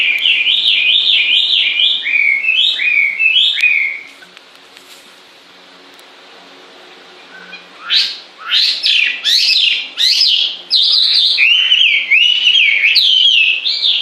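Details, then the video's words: Bird singing continuously: loud, bright whistled phrases rising and falling in quick repeated loops, a pause of about four seconds, then a richer, faster stretch of varied whistles. "Con chim hót suốt nghe mát ruột"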